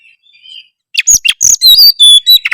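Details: An oriental magpie-robin in full gacor song: faint soft notes, then loud harsh chatters mixed with pure high whistles and a closing run of quick buzzy notes.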